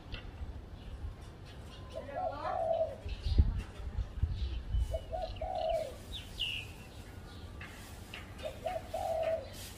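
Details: Three evenly spaced low coo phrases from a spotted dove perched on a tree at home, each short notes rising into a drawn final coo. Soft thuds and knocks midway, with light chirping from other birds.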